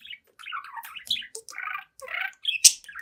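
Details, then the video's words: A young pet budgerigar, seven months old, chatters in front of a mirror: buzzy, rapidly shifting warbled notes and squeaky chirps run together, with one sharp click near the end. "Young Budgie Talks, Dances, and Sings in Front of the Mirror"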